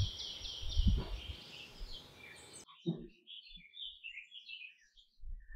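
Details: Canary with a noisy, buzzy passage and a loud thump, then after a cut, scattered quick twittering notes separated by brief gaps.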